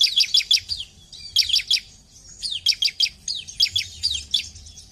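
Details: Ciblek, the bar-winged prinia, in loud song played to trigger singing in other ciblek: high sharp notes in bursts of three or four, repeated about every second, each note dropping in pitch.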